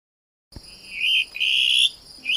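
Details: Plumbeous Rail (saracura-do-banhado), a Brazilian rail, gives high, squealing whistled notes, a short one then a longer drawn-out one, with the start of another at the end.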